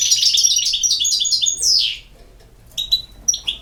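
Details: Fast, high, tinkling twitters from a European goldfinch in Bosnia and Herzegovina end in a downslurred note, followed by a pause and several sparse, sharp chirps.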